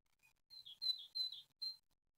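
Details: Great tit nestlings at a nest in Ostwald on 6 June 2020, the day of the first hatching, give thin high chirps: short tonal notes, some sliding downward, in quick bursts, with soft rustling in the nest box.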